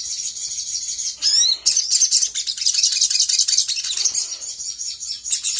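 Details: Sooty-headed bulbul, or sogok ontong, singing as a lure to draw replies from other birds. A quick rising sweep opens a dense, continuous run of high buzzy chirps and twitters.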